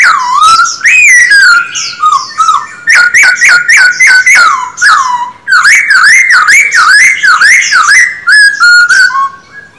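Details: Kept Black-throated laughingthrush in voice training gives rich, loud whistled song: a long warbling phrase, then bursts of quick, sharply repeated notes and a chain of rolling, wavering up-and-down whistles.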